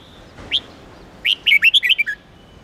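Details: Red-whiskered bulbul song: one rising chirp, a short pause, then a fast run of seven or eight clear, warbling whistled notes that dip and leap in pitch and finish on a low slurred note.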